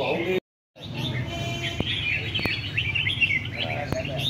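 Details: Red-whiskered bulbul in a singing competition, short bright warbled notes and quick chirps after a brief gap, with sharp clicks and low background rumble.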